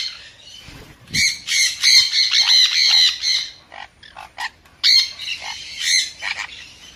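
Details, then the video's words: Loud, harsh sun conure squawking in two long raspy bouts, each a rapid chain of grating shrieks, separated by clicks and short sharp notes. "เสียงนกแก้วซันคอร์นัว Conure Sounds"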